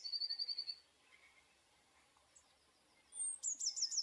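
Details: Eurasian blue tit: the tail of a rapid, even trill, a quiet gap with soft distant notes, then a fresh phrase of a thin high note and a bright, fast repeated trill.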